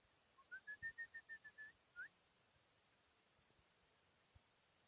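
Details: Four-year-old chukar partridge in Tajikistan, 2021: a quick run of about eight clear, even whistled notes, then a short sharply rising note, over quiet background hiss.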